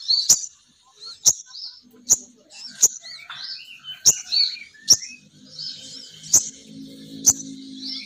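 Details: Sogon bird female calling as a lure for males. Short, high twittering phrases alternate with sharp clicks repeated roughly every second, with a faint low hum in the background.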